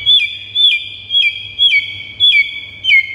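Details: White-rumped shama song for provoking pet birds: one clear high whistled phrase with a downward flick, repeated about every half second, six times.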